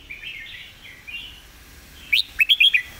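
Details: Red-whiskered bulbul giving a model song meant for teaching birds: quiet rolling warble for two seconds, then a loud flourish of crisp, sharp notes rising and falling in quick succession.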